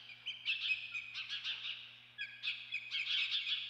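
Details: Shrill, rapid chittering squeals from an osprey at the Dunrovin Ranch nest on 28 May 2013. They come in two dense bursts separated by a brief lull, with a faint steady hum below.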